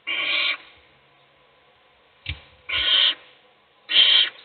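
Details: Owl chick fed by its mother while the other chicks sleep, uttering three harsh, noisy screeches near half a second long, with a short thump and click between the first and second.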